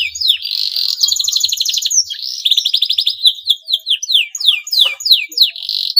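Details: A breeding-condition male canary sings to prompt other canaries to sing. Dense, bright trills alternate with rapid rolled phrases, then give way to a run of quick, sweeping chirps repeated about twice a second.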